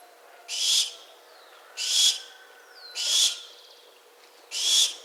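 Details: Four rasping, breathy shrieks from a barn owl follow one another at intervals of roughly 1.3 seconds. A faint falling whistle is audible between two of them.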